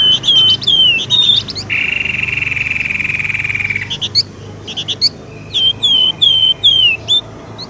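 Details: Pelamboyan ribut lure for drawing birds from thickets: clear downslurred whistles, a long even buzzy trill of about two seconds, then more spaced sliding whistles.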